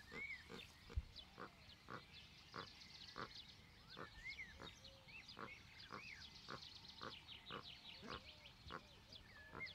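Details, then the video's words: Magellanic steamer duck (Tachyeres pteneres) giving a steady run of low, rough grunts about twice a second with short rising whistles mixed in; high twittering from other birds behind. "Magellanic Steamerduck"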